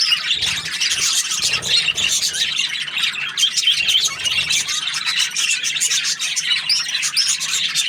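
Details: Happy budgie chirping, a lively continuous warble of squeaky notes and quick twitters with no quiet gaps.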